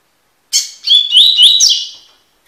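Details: Tui tui style song of a Double-collared seedeater, used as a training recording: one phrase opening with a harsh buzzy note, then a quick run of upslurred whistled notes fading out, clean background.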